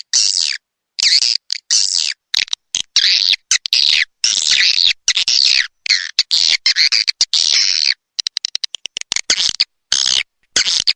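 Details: Swiftlet calls, Dewa Amoy Super Raja Sedot sound pack: repeated high, buzzy, slightly warbled chirps in quick bursts, becoming shorter and more clipped after eight seconds.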